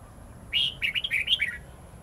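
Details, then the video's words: Red-whiskered bulbul singing a long, twisting wild-style song used to train young birds: one quick phrase of about a second, a clear whistled opening note followed by a run of warbled, rising and falling notes, over a quiet hiss. "Chào mào hót giọng rừng âm dài xoắn cực hay/Dùng luyện chào mào non,má trắng học giọng rừng"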